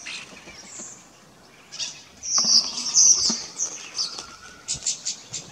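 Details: A rosy starling at Den Burg, Texel, the Netherlands, on 26 October 2024 gives harsh, high, scratchy chattering notes in irregular bursts, loudest mid-way, with a faint steady whistle briefly underneath.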